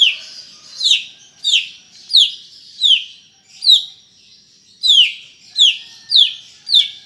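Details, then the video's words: Greater green leafbird singing in the lively style called 'gacor': a series of bright, descending slurred whistles, roughly one every 0.6 seconds, with a short pause in the middle before the series resumes. "Ocehan Cucak Ijo Gacor untuk Pancingan Bunyi"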